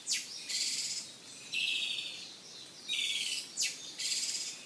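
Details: Izu thrush, an endangered thrush endemic to Japan's island forests, singing: sharp downward sweeps alternate with broad, buzzy, rattling trills held about half a second each, repeated in bursts roughly every second, over faint background hiss.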